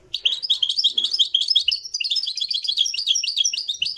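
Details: European goldfinch singing in the Marrakchi style, live: a dense, jumbled run of high chirps, twitters and slurred notes with no pauses.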